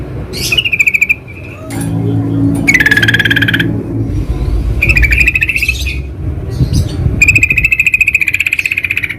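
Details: Sooty-headed bulbul in the wild producing repeated chattering trills of quick pulses, some phrases slightly falling, with a faint low hum and background noise in the pauses.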